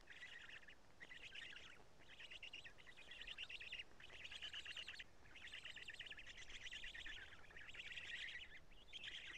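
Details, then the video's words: Around a black stork nest change and feeding at Karula, evening of 2 June 2017: raspy, wheezing bursts come in a fast series of roughly one-second phrases separated by short gaps. "Black Stork~Change and Feeding"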